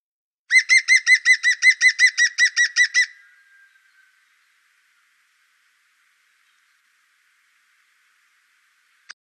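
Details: European green woodpecker, Wittlich, 2017, giving a loud laughing series of about fourteen clear, ringing notes in even rhythm, then near silence with a single faint click at the end.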